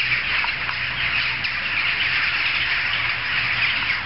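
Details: Large gathering of jackdaws, audible from several streets away, forming a dense unbroken chorus of short, overlapping, high chattering calls with no pause.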